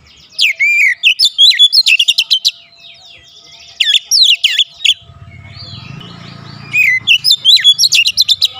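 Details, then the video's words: Domestic Oriental magpie-robin in vigorous daily song: three bursts of rapid sharp notes and swooping whistles separated by pauses, with a low humming background noise midway. "memancing harian Kacer rumahan selalu bunyi gacor"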